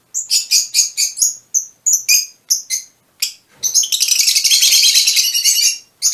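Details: Fischer's lovebirds of mutation color forms calling: a series of sharp, separate high chirps at an uneven pace, then a sustained burst of busy, buzzy chatter.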